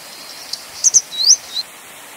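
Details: A Grey Wagtail gives a high, thin phrase: a pair of clipped notes followed by an upward-slurred whistle and one short final note, over faint background noise.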